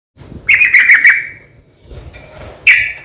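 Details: Sooty-headed bulbul fighting song used as a lure to make other bulbuls sing: two short bursts of bright chattery notes with a ringing tone, separated by a quieter gap with faint background murmur.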